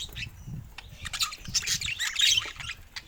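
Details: Budgerigars kept as pets, playing together; scattered chirps building into a louder burst of buzzy, warbled chatter, with low background rumble.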